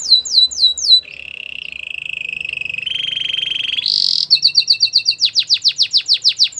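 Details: Canary song for stirring other canaries to sing: a few falling whistles, a low rolling trill, a higher buzzy roll, then rapid chipping notes and fast sweeping whistles in quick rhythm.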